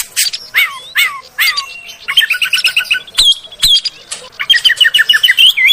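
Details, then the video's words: Magpie-robin lure song to prompt settled adult and young kept magpie-robins to sing. Loud downslurred whistles repeat about every half second, then fast chattering series of short notes with sharp clicks between phrases. "SUARA PANCINGAN BURUNG KACER AGAR CEPAT BUNYI DAN GACOR"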